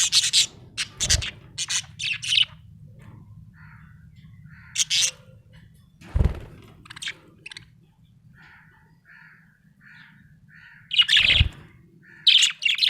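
A budgerigar gives bursts of scratchy, high chirps and squawks between softer warbling notes.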